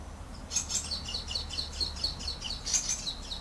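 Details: Common waxbill song: a rapid train of high, regularly repeated chirps, roughly four per second, with brighter buzzy notes near the end, over a low background rumble.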